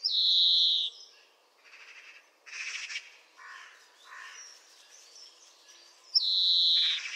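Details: European greenfinch song: a long, loud, nasal wheezing note at the start and again at the end, with softer twittering and buzzy chirps between them.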